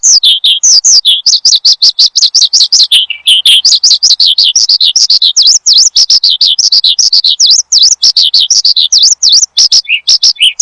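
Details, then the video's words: Gacor branjangan, or Oriental skylark, song for training cage birds: long rapid series of high sweeping chirps, some in quick V-shaped up-down pairs, nearly continuous. "Kicau Burung BRANJANGAN Gacor, Untuk Pancingan Dan Masteran"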